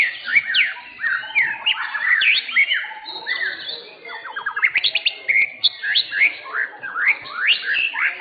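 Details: Contest-winning white-rumped shama in Indonesia singing loud, varied whistled phrases: sharp upswept and downswept notes, brief rapid trills, and repeated clear slurs with short pauses between bursts.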